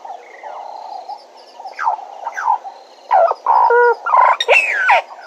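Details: At Djuma, a Bennett's woodpecker on a live camera gives a quick cluster of loud, nasal notes with hooked and falling sweeps in the second half, after softer calls, over steady hiss.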